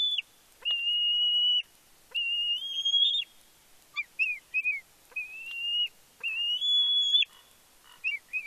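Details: Excited squeeing from a fledgling bald eagle returning to its Big Bear nest as the father brings fish, 31 May 2022. Long, level, high whistles alternate with quick, short chipping notes.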